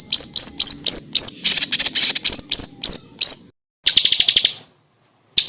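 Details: Songbird training recording packed with rapid 'tembakan' phrases for contest birds like white-rumped shama and oriental magpie-robin: a run of piercing high chips, an abrupt cut to silence, then a short, very fast trill burst.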